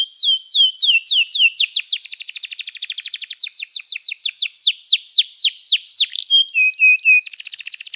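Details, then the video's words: Canary singing as a training song for canaries. It delivers fast sweeping downward whistles repeated several times a second, then rapid buzzy trills, a few low piping notes and a final bright rattling trill, heard indoors without other sounds. "O som do canário cantando é muito gostoso! melhor treinamento para canario"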